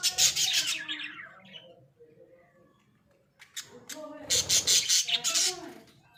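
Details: Australian budgerigars kept in a small cage give bursts of harsh, buzzy chatter at the beginning and end, separated by a quieter stretch of soft warbled notes.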